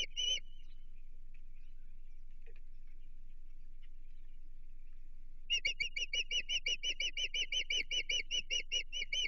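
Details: Chesapeake osprey at the nest facing an intruder, June 2023: a short shrill burst, several seconds of near quiet with faint ticks, then a long rapid series of sharp whistled chirps over a low hum.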